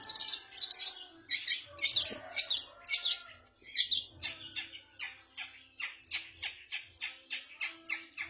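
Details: Long-tailed shrike singing a mimicked repertoire including kapas tembak, canary, fighting sparrow and bar-winged prinia; bursts of high, scratchy chirps and squeaky notes in varied phrases, then a run of quicker, softer repeated chips.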